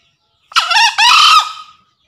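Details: Male green junglefowl calling a rival, used as a lure call: a single harsh two-part crow, a short rising first burst followed by a longer, level, hoarse second note that trails off, lasting about 1.3 seconds against a silent background.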